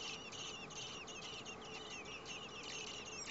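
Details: Common blackbird nest with four young, parents busily feeding them in temperatures above 30 °C; insistent high-pitched squealing chirps tumble out in fast, irregular groups, many per second.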